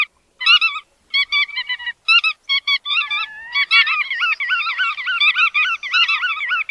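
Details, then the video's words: Bar-tailed godwits: first clipped, separate nasal notes in small groups, then a swelling chorus of overlapping wavering calls as more birds join in. "Tiếng Chim Choắt Đuôi Vằn"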